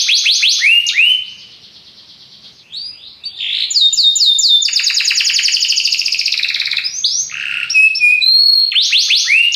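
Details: Belgian canary in full voice: quick looping trills, a quiet pause, then a long stretch of rapid buzzy repeated notes, finishing with bright whistled phrases and swooping trills.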